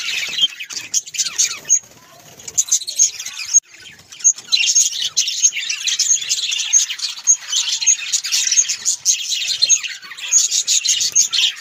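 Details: A group of pet budgerigars keeps up long, rambling high warbling, with clear piping notes recurring roughly every second over the dense twitter; a few short lulls break it up.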